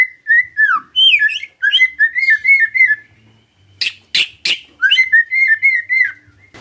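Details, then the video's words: Shama lure song for drawing out singing: bouncing whistled phrases repeated in short bursts, broken by a few harsh, scratchy bursts, then more lilting whistles. "HARUSNYA PANCINGAN ITU BEGINI AGAR MURAI GAMPANG BUNYI✅✅ MURAI BATU GACOR"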